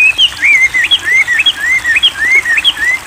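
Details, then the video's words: Wambi delivering a fast series of thin whistled notes, short upward flicks mixed with longer falling slurs, strung together continuously; a training recording for songbirds. "terapi air Wambi gacor"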